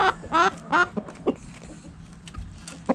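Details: Backyard chickens in a coop, hens and roosters together: a few harmonic, rising squawks early on, then scattered short clucks and soft knocks over a low, constant hum.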